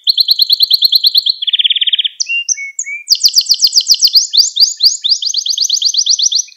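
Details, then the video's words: Loud Gloster canary song for stimulating canaries: a steady rolling trill, a lower buzzy roll, scattered whistles, then bright fast trills and rising sweeps. "Gloster Kanarya Sesi Ve Ötüşü | Kanarya Huylandırma | Kanarya Kızıştırma"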